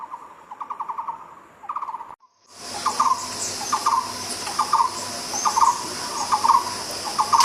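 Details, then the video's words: Barbet song: rapid trilled bursts. After a brief gap the recording becomes noisier, with a high insect-like hiss, and the bird keeps giving short trills at a regular pace. "Kicau Burung TAKUR BUKIT"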